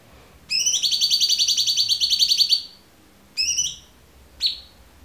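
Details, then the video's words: Tutor recording of a clear-voiced cucak cungkok for murai batu, cendet, kacer and konin: a long, rapidly pulsed buzzy rattle of about two and a half seconds, followed by two short sharp falling notes. "MASTERAN AMPUH CUCAK CUNGKOK suara jernih"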